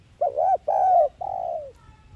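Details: A single spotted dove phrase in 'thúc gù' lure style, used to draw wild doves for trapping. Three round coos, the last longer and gently falling, then quiet.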